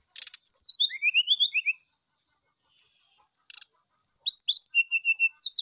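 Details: Oriental magpie-robin in the morning giving flute-like sulingan song: quick strings of upswept and downslurred high whistles at roughly four notes a second, broken by sharp clicking noises and a brief pause.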